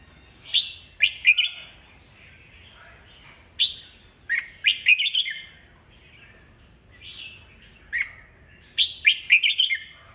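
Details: Caged red-whiskered bulbul, an old wild-caught bird, sings to stir rival birds into answering; bright whistled phrases in quick clusters of several notes, dropping then rising, separated by brief pauses, with quiet soft warbling between.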